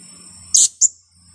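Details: A two-week-old blue-crowned hanging parrot kept for luring gives a pair of harsh, high, breathy squawks, the first longer, over a low background hum and insect drone.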